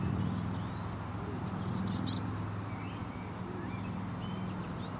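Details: A blue tit fledgling waiting in bushes for food gives two bursts of very high, thin, rapid chittering notes, each about a second long, over a steady low rumbling hum.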